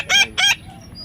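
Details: Baby parrot giving two loud, harsh, nasal squawks in quick succession, each about a fifth of a second long, followed by quiet.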